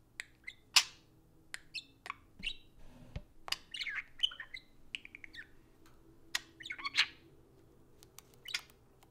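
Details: Two pet budgerigars socializing indoors over an iPhone: a busy stream of short, sharp chirps and squeaky warbled notes, some rising or falling, spaced irregularly through the stretch, with a faint low room hum.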